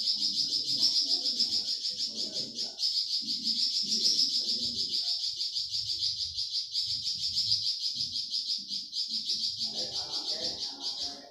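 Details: Flamboyan bird singing, used to train songbirds like cucak ijo and magpie robin: a long, steady, rapid, high-pitched trill almost without pause, with faint low thuds and noise beneath.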